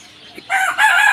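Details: Rooster crowing loudly at close range, a harsh, strained cry with a short first part and a longer, louder, sustained second part, rich in overtones.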